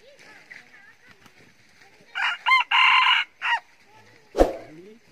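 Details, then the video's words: Young F3 rooster crowing: a short harsh lead-in and a loud, strained, sustained crow, then a clipped final note. A sharp knock follows, with faint background noise. "Gà tơ f3 gáy hay"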